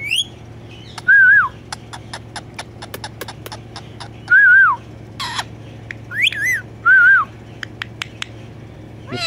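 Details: Pet talking parrot giving repeated wavering whistled phrases that rise and fall, about four loud bursts, with sharp clicks and taps between them over a steady low hum.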